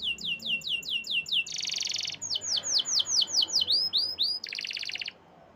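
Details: Canary song of rhythmic downslurred whistles about three per second, broken by two dense buzzy bursts, over a faint low hum.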